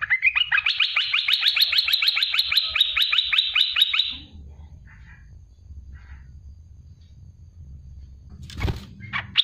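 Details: Olive-winged bulbul, known locally as merbah belukar or cucak lumut, giving a sharp 'tembakan' song burst: a loud rapid run of clipped, repeated notes, about two per second faster than counting, rising slightly then held for four seconds, followed by quiet with a thump.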